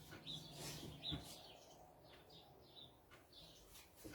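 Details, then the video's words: Several sparrows in a parking lot outside chirp faintly, possibly fighting, with short, high, scattered notes, a few each second, heard through windows over a low indoor hum. "They're in the parking lot. Those are chirping sparrows."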